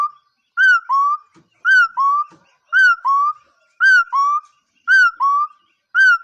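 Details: Repeated two-part whistle from a bird, a sharp higher note dropping into a lower sustained tone, sounding roughly every second; a couple of soft knocks between phrases and no other voices.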